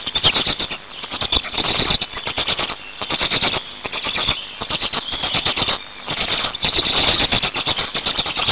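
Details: Nest scene of black storks in Hungary, 8 May 2019, at change-over and feeding time. Harsh squealing comes in surging bursts about every second or two, with machine-gun-like rattles and brief dips between.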